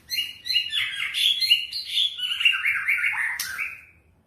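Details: White-rumped shama song used as a lure to make other shamas sing: a lively run of clear whistled phrases, rising and falling between mid and high pitch, with short slurred notes packed closely over about four seconds.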